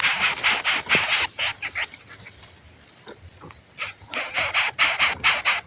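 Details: Hungry baby bird calling for its parent: harsh, hissing, raspy bursts in quick rhythmic runs of about two per second, a quieter stretch with softer scattered rasps midway, then the loud rapid series resumes.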